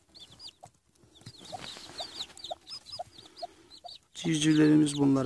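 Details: Freshly hatched Denizli chicks, seven out from eggs under a hen; rapid high cheeping notes with soft lower clucks from the hen, ending in a loud burst of speech and noise.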